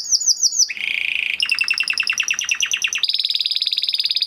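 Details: Crested Spanish Timbrado canary, 2020 breeding, in training song. Falling whistled notes lead to a low buzzy rattle, then a rapid rolling trill and a high, steady, fast trill.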